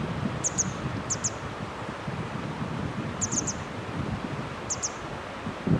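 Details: Grey wagtail at the Hönne riverbank in Menden gives sparse pairs of thin, high-pitched tsit calls, spaced about a second or more apart, partly masked by steady wind and rustling.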